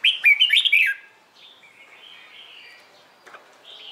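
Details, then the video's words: Morning competition song of a Red-whiskered bulbul kept for training; one quick, rich warbled phrase of rising and falling notes opens, then faint drawn-out whistles of other birds fill the rest. "LUYỆN CHÀO MÀO HÓT ĐẤU/ HƠN 12 P CHÀO MÀO HÓT BUỔI SÁNG"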